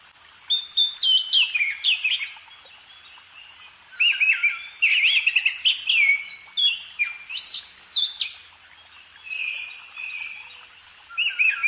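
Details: Bird song in bursts of varied whistled phrases, sliding notes and quick trills, with short pauses between phrases and a steadier buzzy whistle near the end; quiet background.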